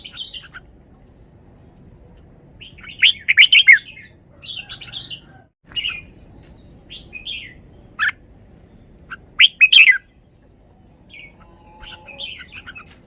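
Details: Red-whiskered bulbul delivering varied song phrases, short clusters of rich, fluty chirps and slurred whistles separated by pauses of a second or more, with louder bursts twice, against a quiet background.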